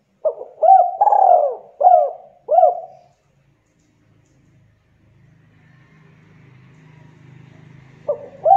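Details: Spotted dove from Java in close, fast KUK 2 calling: a quick run of four to five bowed, throaty coos, then silence and a low rumbling hum before another coo starts at the end.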